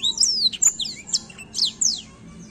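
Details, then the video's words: A black-throat sings a short series of high, down-slurred whistles and sharp chirps, some notes long and falling. "a bela canção do pássaro blackthoat"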